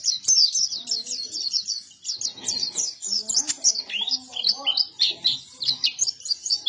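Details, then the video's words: White-eye of the local type called buktoni, singing actively: a dense, continuous stream of rapid, high, thin twittering and warbled notes with quick upslurs and downslurs, while faint low voices murmur in the background. "PLECI BUKTONI GACOR"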